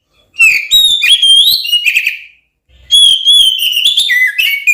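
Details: Oriental magpie-robin (kacer) delivering a fierce song used to provoke rival magpie-robins to fight: two bursts of loud whistled, warbling phrases separated by a short gap.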